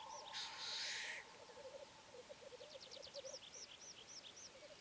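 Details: Black grouse with a sharp, rushing hiss near the start, then a steady low bubbling coo running throughout, while high chirps and arched whistles from other birds sound in the background.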